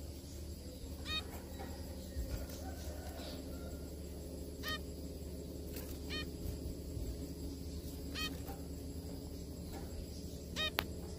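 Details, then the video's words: A group of zebra finches eating together: six or so clipped, nasal honks with layered overtones spread over eleven seconds, some quieter than others, against a persistent low mechanical hum. "zebra finch Eat and sing together : zebra finch sound."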